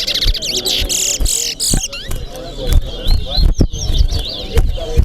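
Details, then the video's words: Chestnut-bellied seed finch (towa towa) in a singing competition at Corriverton: quick high whistled and warbled notes, some sliding up and down, in fast bursts over steady crowd chatter and faint music. "CORRIVERTON TOWA TOWA BIRD SINGING COMPETITION"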